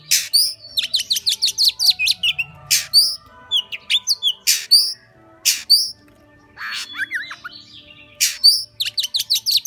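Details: Oriental magpie-robin singing in a performance style called "13 kiếm": loud sharp high notes, rapid downslurred whistles and chattering phrases repeated in bursts, with short pauses between phrases.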